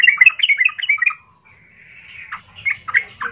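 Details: Loud, rough yellow-vented bulbul song meant to provoke other bulbuls: a quick run of bubbly chirping notes, a short pause with a faint thin whistle, then scattered gurgling notes.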